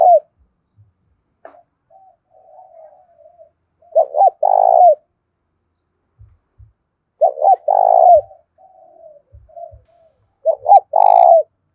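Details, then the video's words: Spotted dove used as a lure, thổ pha fighting call: loud phrases of clipped coos plus a rolling coo roughly every three to four seconds, soft murmuring between, and faint low knocks. "Chim cu gáy kích bổi giọng thổ pha/ tiếng thúc đấu vang cả xóm làng"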